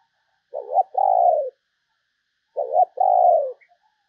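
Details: Decoy spotted dove cooing in two identical phrases about two seconds apart, each a short wobbling double note followed by a longer, mellow, slightly descending coo, with nothing else audible.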